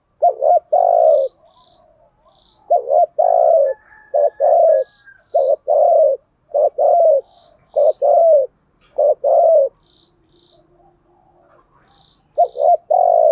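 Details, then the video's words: Decoy spotted dove kept in a cage, cooing to draw in wild doves; repeated low, husky phrases of short doubled notes followed by a longer drawn coo, about every two seconds, with faint high chirping in the background. "chim cu mồi thúc gù bài bản nhất hiện nay, chim cu gáy kích bổi hiệu quả nhất hiện nay"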